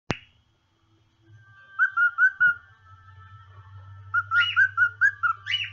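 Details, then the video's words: A pet male cockatiel sings two quick runs of clear, warbling whistled notes, each bending and sliding, over a steady low household hum. "My Tiel Singing"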